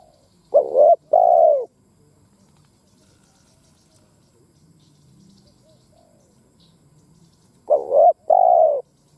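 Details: Spotted dove, a decoy bird, calling in a lure recording of crowing, urging and cooing calls. Two low, hoarse double coos, each a wavering note then a longer falling one, separated by about seven seconds of quiet.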